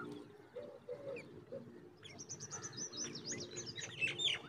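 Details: Black drongo chicks seen close up, giving a quick run of sharp, high chirps that quicken and crowd together in the second half, over a steady low background hum.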